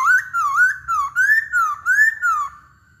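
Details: Smooth looping whistles from a Hwamei, rising and falling in even phrases about every half second, clear and without background sounds.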